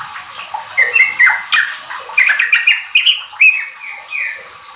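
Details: Sooty-headed bulbul (trucuk) singing, played as a lure to get kept birds singing: a busy run of clear whistled phrases, short level notes mixed with quick falling slurs, in bursts.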